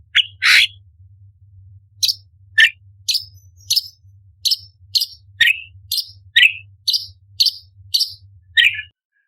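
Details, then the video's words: Orange-bellied leafbird (cucak cungkok) opening with a loud rasp, then a steady series of about fifteen sharp, high 'tembakan' chirps, roughly two a second, over a faint low hum. "Cucak Cungkok Istimewa ~Tembakan Istimewa Pedas - Burung Masteran Lomba - Orange Bellied Leafbird"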